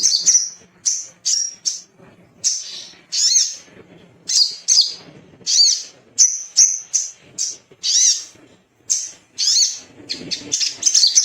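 A Little spiderhunter gives a fast run of short, high, sharp chirps, repeated about twice a second with brief pauses. A faint low rumble sits underneath.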